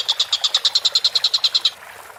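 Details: Collared kingfisher calling vigorously: a quick burst of about fifteen loud, harsh notes delivered evenly, then stopping abruptly into quiet.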